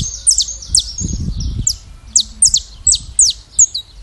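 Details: Saffron finch in Brazil giving a song of sharp, high, falling chips in an uneven rhythm, with a low rumbling knock heard near the start.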